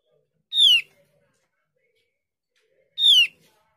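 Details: Lure recording of a Javan grey-throated white-eye meant to draw answers from other birds; two bright, ringing notes sliding sharply downward, about two and a half seconds apart, with near silence between them.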